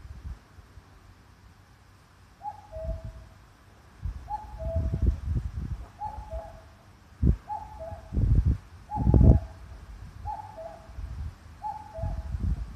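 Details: Common cuckoo calling in Sanno Park, Ageo, Saitama, Japan, among large old pines and sawtooth oaks on 5 June 2021: a falling two-note cu-coo repeated seven times, roughly every one and a half seconds, over heavy gusting wind noise.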